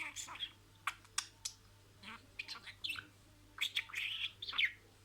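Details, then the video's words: Talking pet budgerigar imitating words in sequence: sharp clicks and quick high syllables give way to a dense, warbling, chattering phrase near the end, with a faint hum underneath. "MUHABBETKUŞU KONUŞMA SESİ"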